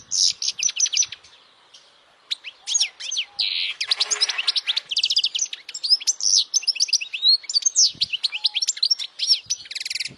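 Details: European goldfinch song played for memorization by young goldfinches: long, rapid stream of tinkling chirps and twitters, a short quiet gap early on, a harsh buzzy burst around four seconds, then steady lively warbling.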